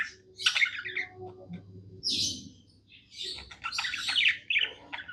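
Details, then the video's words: Budgerigar kept as a pet, singing happily: scattered bursts of chirps, a harsh squawk, then a busy run of squeaky warbled notes. "Happy budgie singing"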